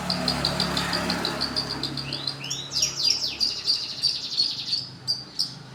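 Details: Long-tailed shrike song used as a lure: a quick series of short high ticking notes, then sweeping downslurred whistles and a dense buzzy warble, with a low hum behind.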